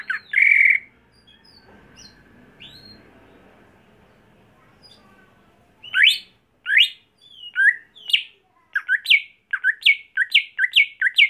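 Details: Greater green leafbird kept at home for songbird contests opens with a harsh buzzy note and a few soft whistles, then after a quiet spell launches a long fast sequence of loud rising and falling chirps.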